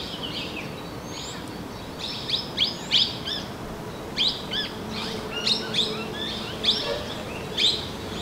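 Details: Small minivet calling in the Narsapur forest range: a run of short, high chirping notes, some sharply falling, given in loose clusters across several seconds over a quiet background hum.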